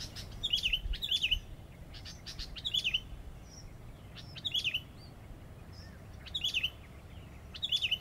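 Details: Sooty-headed bulbul (Pycnonotus aurigaster), song.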